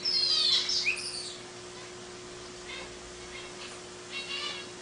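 A long-tailed paradise whydah opens with a loud, sharp, falling whistle, followed by a few faint, high chirps spaced about a second apart, over a steady low hum.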